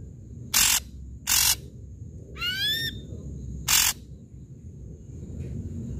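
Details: Ashy drongo giving loud lure song: three short harsh rasping bursts with a single upward-sweeping whistle between them, over a thin constant high hum.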